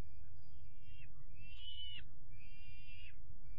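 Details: Young peregrine falcon chicks calling while being fed their evening meal on 5 May 2021; drawn-out, wavering high squeals with falling ends, several overlapping, over a constant low rumble of background noise.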